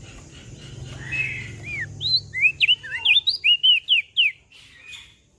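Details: A mountain leaf warbler sings a brisk phrase of high, sharply slurred whistles, roughly ten notes delivered in a quick, slightly uneven rhythm. A low hum is heard beforehand.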